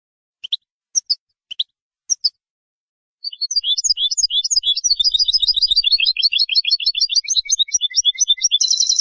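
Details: European goldfinch song from Andalusia, recorded for tutoring young birds. A few spaced high chirps open the phrase, then a fast, continuous, tinkling twitter of varied notes runs on and ends in a buzzy rattle.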